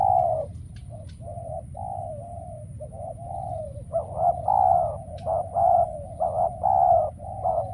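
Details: Spotted dove used as a decoy during trapping, calling while wild doves stay away; steady run of mellow, hollow coos, short clipped notes mixed with longer drawn ones, louder phrases near the end over a low rumbling background.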